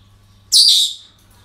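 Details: Parrot at a breeding centre on an ordinary day, giving one loud, harsh, high squawk lasting about half a second, with a steady low hum in the room.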